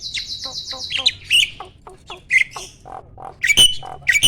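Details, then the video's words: Adult male Asian pied starling in breeding condition, pumping while singing: a buzzy rapid rattle opens, followed by scattered clicks and low chuckling notes, with loud sharp whistles and squawks near the end. "BURUNG JALAK GACOR MOMPA-MOMPA!!! JANTAN TULEN."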